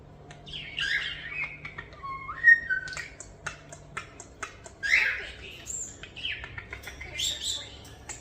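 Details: Captive European starlings about a year old, rescued as fallen nestlings, produce sliding whistles, a sharp pure whistle note, clicks and raspy chatter, mimicking sound effects indoors, with a woman's quiet voice.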